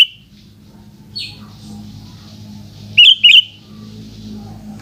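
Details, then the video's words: Sooty-headed bulbul singing in the afternoon: a short pair of bright, warbled whistles near the end after a lone squeaky note, over a low steady hum. "Burung kutilang oceehan disore hari"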